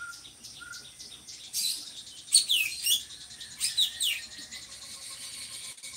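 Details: A kept drongo in Indonesia, used as a song tutor for other birds, sings bright, high chirps and quick downward-sweeping whistles in two loud bursts, with a couple of soft lower whistles at the start.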